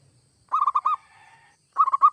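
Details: Zebra dove, local or Bangkok perkutut type, singing gacor, used to prompt other doves to sing: a quick run of four or five rounded, hollow coos, a pause, then another fast burst of coos.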